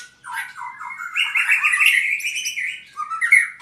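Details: White-rumped shama, an albino bird in Purwokerto, delivering a sustained rich warble that rises into a dense, buzzy whistled stretch and ends with a sharp high note.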